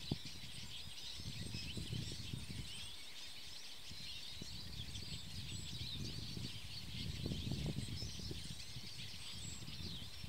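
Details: Eurasian siskins that came as a group, preening leisurely in a treetop; dense, overlapping high-pitched twitters and short chirps run throughout, with a low, gusty rumble underneath that swells and fades.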